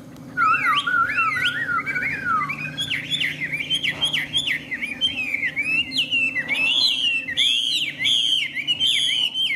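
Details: Caged, tame hwamei in full song, a loud continuous stream of swooping whistles that zigzag up and down, growing higher and more rapid toward the end, with a faint background hum.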